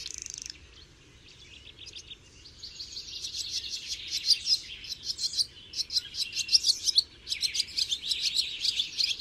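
A barn swallow's song: a fast, high twittering warble of chirps and dry, scratchy trills that runs on continuously without pause.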